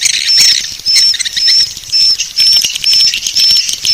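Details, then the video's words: Swiftlet lure call for drawing swiftlets: continuous high, scratchy chattering with short flat whistled notes repeated about twice a second, giving a pulsing rhythm over the twitter. "Suara Panggil Walet Bangkit 18"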